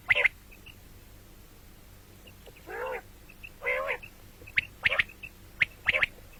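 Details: Common quail calls for morning and night: a sharp note opens, two drawn-out warbling buzzy phrases follow after a pause, then quick clipped triplets close the sequence.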